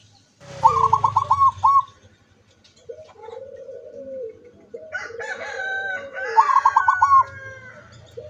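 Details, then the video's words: Zebra dove recorded 24 September 2023, singing hard with open beak: staccato bursts of quick, ringing coo notes, each followed by lower purring, warbled phrases, with a low hum in the background. "suara perkutut sampai buka paruh"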